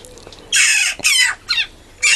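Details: A baby rescue Western jackdaw at a rescue centre in Harberton, South Devon, waiting for scrambled egg breakfast, gives harsh, raspy squawks, three or four quick wheezy bursts in two seconds, insistent begging for food.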